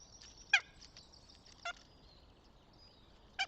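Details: Northern goshawk at its nest near Tartu, Estonia, on 26 April 2025: three loud, harsh, harmonic call notes spaced about a second apart, with faint high songbird twitters behind.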